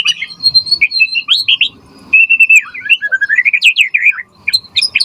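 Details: White-rumped shama singing continuously, from a lure recording used to tutor shamas: sustained high whistles, then a long rambling run of rapid varied notes rising and falling, with soft low chatter underneath.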